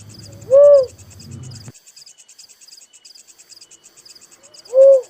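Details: Little cuckoo-dove uttering two rounded, hollow coos four seconds apart; a low buzzing rumble fades after the first, while high insect chirps pulse steadily.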